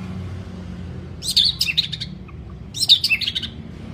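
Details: White-rumped shama in a recording used to train long song: two brief high, rasping twittery bursts about a second and a half apart, with faint low notes between and a soft background hum.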